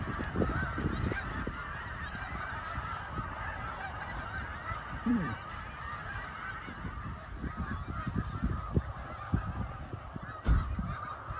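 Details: Snow geese on migration near Lancaster, Pennsylvania. Countless birds call at once in a steady wall of honking, high and low barks blending together, with a sharp click near the end and low background rumble.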